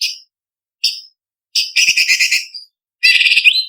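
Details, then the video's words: Leafbird, called cucak cungkok, singing as a master recording for contest birds: two short clear whistles, then rapid buzzy trills that end in a rising whistled slur. "Masteran Cucak Cungkok Istimewa ~Isian Kasaran Pedas Variasi ~ Tembakan Masteran Burung Lomba"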